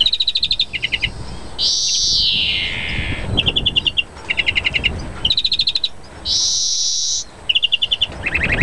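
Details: Excited European greenfinch singing during mating: runs of rapid metallic trilled twitters alternate with two long, drawn-out wheezy buzzes that slide downward, the pattern repeating twice across the passage.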